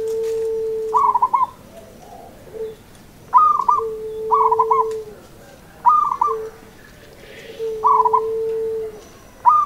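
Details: Zebra dove, a local bird, repeating trilled coo phrases about every two seconds. Each phrase is a bubbling, stuttering burst, answered by a sustained lower pure tone.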